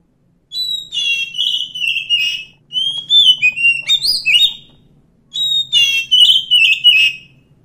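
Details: Wild Oriental magpie-robin song in three phrases of varied whistles, some long and level, others quick rising and falling slurs, separated by short pauses; a soft low hum persists.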